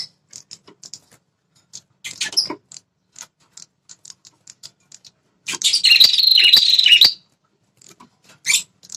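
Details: Red-headed prinia call meant to rouse territorial males: steady soft ticks repeated several times a second, broken by one loud buzzy trilled burst of about a second and a half.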